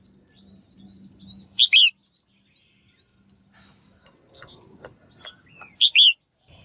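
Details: Female bird calling to spur males to sing vigorously; a brisk chirp plus a slurred bright note sounds twice, about four seconds apart, amid soft high chirps from other birds and a low steady hum.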